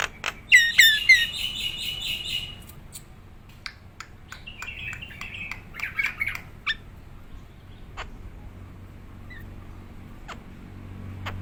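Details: Nias hill myna kept as a gacoran (top-form singing bird): a burst of loud, harmonic whistled and squawking notes, then scattered sharp clicks and shorter whistled phrases over a low background hum.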